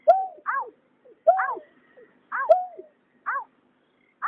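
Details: Male and female greater painted-snipe, 2021, in a night bird-trapping context: a sharp click-like onset, then double downward-curving nasal notes, returning roughly every 1.2 seconds, with fainter single notes between, in otherwise quiet surroundings.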